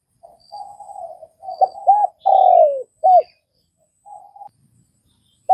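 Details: Spotted dove from Vietnam with soft wavering murmurs leading to paired arched notes, a loud falling coo and a clipped final note, then a quiet trailing murmur.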